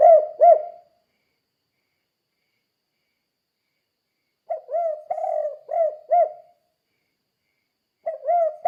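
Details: Spotted dove calling in the "kuk 2" pattern, a recording meant to teach other doves to sing; brief coo pair, a long silence, then a full phrase of a lead note, long coo and two short coos, another phrase beginning at the end.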